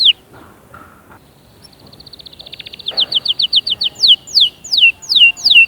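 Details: Canary song used to push young birds to sing and prime females: soft scattered notes, a quiet rising trill, then loud repeated notes giving way to sweeping downward whistles.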